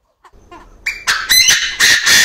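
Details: In an aviary a male Chinese francolin crows beside a clucking female. A few faint notes, then loud, harsh, scratchy bursts in quick succession, each strident and rasping.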